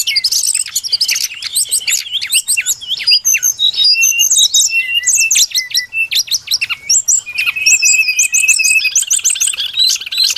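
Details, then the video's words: Lure recording of a brown-chested jungle flycatcher used for trapping: rapid tumbling sequence of high chirps and slurred whistles, ending in a longer sustained steady whistle near the close. "Suara pikat burung sikatan SRDC Sikatan rimba dada coklat"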